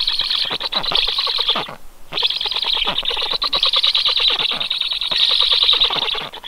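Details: Young storks call with a noisy grating rattle of quick pulses, a short pause near two seconds, then the rasping resumes strongly.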